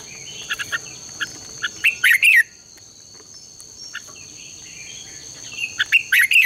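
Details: Red-whiskered bulbul singing in the morning, a contest-style song used as a lure to train and stir other bulbuls to sing: two short bursts of bright, warbled notes about four seconds apart, over a steady high-pitched whine.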